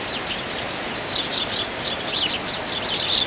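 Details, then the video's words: Dozens of wild Eurasian tree sparrows feeding competitively through the winter, giving lively overlapping chirps that grow denser and louder toward the end, with steady ambient noise behind. "참새들의 겨울 나기 수십마리 먹이 경쟁"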